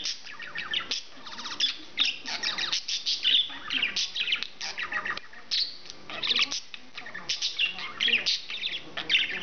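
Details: A male English budgerigar chatters nonstop in dense bursts of scratchy, warbling notes and sharp high chirps, with brief louder squawks and no pause; the owner hears speech-like phrases in it.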